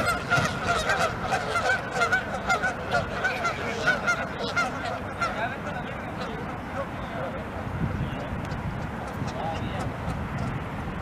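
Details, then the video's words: Canada geese come out of a pond honking loudly and angrily, about once a second, while charging at and fighting their flock, then settle into a softer overlapping chorus of calls. "Canada Geese HONKING ANGRY Get into Fight with Flock"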